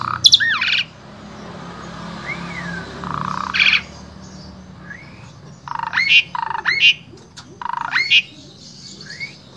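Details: Asian pied starling, Wonosobo, Central Java, with sparse, fainter phrases: looping slurred whistles, then spaced bursts of harsh notes with sharp upswept whistles against a noisy background.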